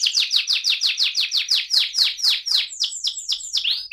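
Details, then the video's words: AF canary singing in the rolling 'ngerol' style: a fast series of bright, downward-sweeping whistled notes, about five per second, slowing toward the end into separate sharper swoops; no other sounds. "kenari AF ngerol"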